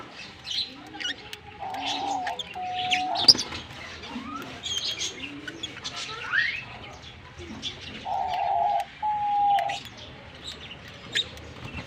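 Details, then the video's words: Fischer's lovebirds, a green pair, chirping and singing: irregular high squeaky notes and short rising squeals throughout, mixed with longer steady whistled tones from other birds. "Lovebird Singing & Chirping Sounds - Green Fischer Pair"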